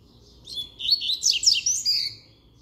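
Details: A double-collared seedeater sings firmly: a rapid, high, twittering phrase of bright chirps and quick up-and-down slurred notes, loudest in the middle, lasting about a second and a half over faint low background hum.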